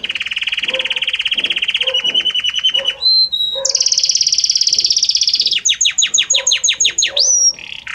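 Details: Belgian canary delivers a long rolling trill, a short pure whistle, a bright sustained buzz, then a row of quick descending notes ending in a rising slur. Faint lower chirps sound in the background.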